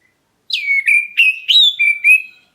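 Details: Oriental magpie-robin of the black-breasted form calling so that other birds answer. Six clear whistled notes come in quick succession, starting with a steep downslur and then settling into level, slightly rising whistles.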